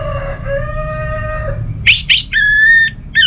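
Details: Lure song of an orange-headed thrush for stirring a kept bird into singing. A steady, low, humming harmonic tone comes first, then rapid scratchy notes and a loud, clear, level high whistle with a short final chirp.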